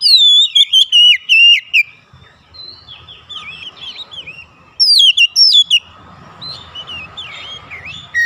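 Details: Oriental magpie-robin calling to another, which answers; loud whistled phrases with rising and falling slurred notes and sharp high chirps in bursts, a quiet pause, then another burst, with a faint low hum underneath.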